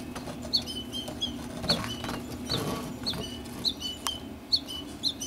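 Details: American goldfinch fledglings left in the nesting tree while the mother comes to feed them; short high chirps around 3-4k repeated roughly every second, with some wing-flutter and rustling.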